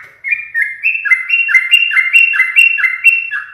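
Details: Yellow-vented bulbul kept caged and regularly teased by its owner sings loudly and continuously, a rapid bubbling stream of paired whistled notes stepping between two pitches, each slurring down.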